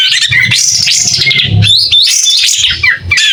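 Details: A White-rumped shama, in active song and fanning its tail, gives a clear and continuous stream of sweeping whistles and rapid warbled notes over a faint low hum.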